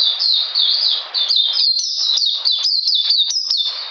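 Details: In cold rain on 13 June 2020, an Oriental magpie-robin delivers a rapid stream of high, clear, down-slurring notes, some rising first, in a dense unbroken sequence.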